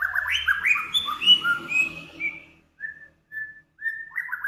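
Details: Cage-bird master recording combining Samyong, Kancilan Flores and Garugiwa songs in full voice: a rapid run of bright, slurred whistles sliding up and down, then three short, evenly spaced level whistles and a final tumbling phrase.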